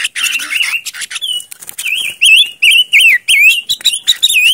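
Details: Silver-eared mesia lure song: bright whistled phrases that swoop up and down, given in quick clusters several times a second with short breaks. Some sharp chips and rustling come before them.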